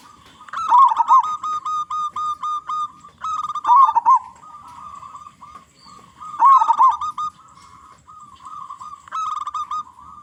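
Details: Local zebra dove with a big, loud voice, used as a lure to draw song from other zebra doves: repeated phrases of quick, clipped mid-pitched coos, each rolling into a warbled trill, about every three seconds, with faint background noise.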